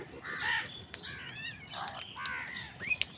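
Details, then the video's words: Crows squabbling with wild birds over food: harsh, hoarse caws with broad harmonics, several overlapping calls in quick succession, plus a brief high thin note near the end. "কাকের ডাক Crow Sound | Crows fight with wild birds for food"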